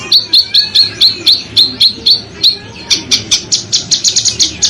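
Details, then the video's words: Harsh, dense bird song used as a tutor for contest birds. Evenly spaced high whistled notes with short downward flicks give way to quicker, noisier shrieking bursts. A soft low background hum runs throughout. "Masteran Burung Lomba JERITAN RAPAT DAN KASAR FULL TEMBAKAN TAJAM"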